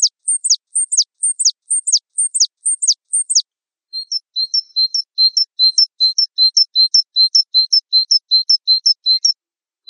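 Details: Java sparrow tutor recording: first a run of high, sharply falling whistled sweeps, then a long series of paired chirps, low then high, repeated evenly about two to three times per second.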